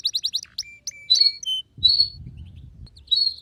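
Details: Canary song: a rapid run of five sharp, high chips opens, followed by clear thin whistled notes and bright sweeping phrases at intervals, with a soft low rumble underneath in the middle.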